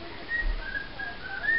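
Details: A pet cockatiel whistles to a sun conure, apparently trying to charm it: a few soft, thin notes, some level and some sliding upward, over a low background hum.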